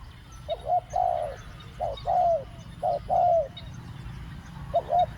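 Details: Luring wild doves with spotted dove coos in the two-word 'ku-ang' pattern: quick double short notes followed by a strong sustained, slightly falling coo, repeated three times in close succession, then a final short pair.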